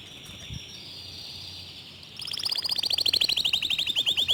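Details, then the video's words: Local canary with a fast, dense, clear song: two seconds of faint steady hiss and background noise, then a loud, quick series of high repeated trill notes that grows stronger toward the end. "Kicau Kenari Lokal Tembakan speed rapat Suara Jernih"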